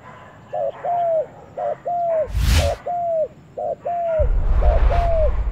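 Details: Spotted dove, newly brought to the forest, cooing in repeated two-part phrases, a brief burred note and a longer bowed coo, while low rumbling thumps and wind-like bursts break in midway and near the end.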